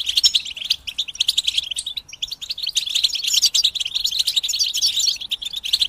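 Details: Overlapping European goldfinch song from a group, meant to help goldfinches sing through moult; continuous high chattering twitter with fast tinkling notes and occasional buzzy trills.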